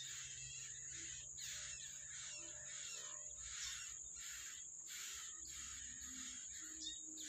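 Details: Yellow-bellied prinia bringing food to its young in the wild; long sequence of scratchy, hissing bursts, each under a second, repeating throughout against a continuous shrill insect drone.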